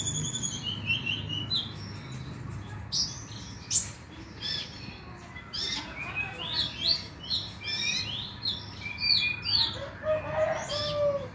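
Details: Oriental magpie-robin (konin) recording used as a lure to get the bird singing at night; a varied run of sharp chirps, slurred whistles and short buzzy notes, with some lower warbled phrases near the end.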